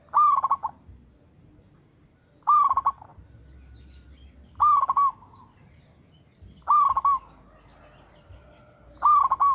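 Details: Local zebra dove in full regular song, meant as a lure recording: five clipped bursts of rapid, rolling coo notes spaced about every two seconds, with quiet low background hum between phrases.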